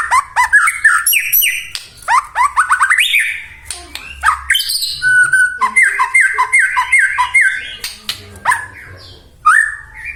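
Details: White-rumped shama belting out a dense, loud song used to bait other shamas into singing: fast chattering bursts, harsh notes and a run of repeated downslurred whistles, nearly continuous throughout.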